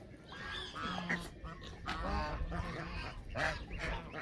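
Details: Canada geese honking irregularly, with nasal calls overlapping over a strong low rumble and a couple of brighter clipped notes.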